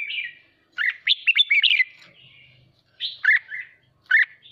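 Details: Red-whiskered bulbul song used to spur singing contests: a quick cascade of sharp, warbled notes, a pause with faint low hum, then two shorter bright phrases, lively and clear.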